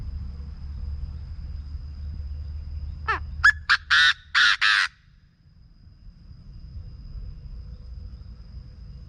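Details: Calling Chinese francolin, played to make birds excited for decoy trapping: steady low rumble, then a descending note, quick sharp notes and a pair of loud grating bursts before the rumble returns.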